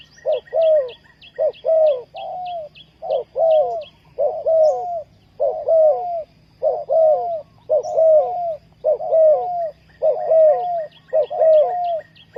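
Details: Spotted dove, kept as a lure for trapping wild doves, coos persistently: paired phrases of a short hoot and a drawn-out falling coo, about a dozen in a row. Faint high chirping continues behind it.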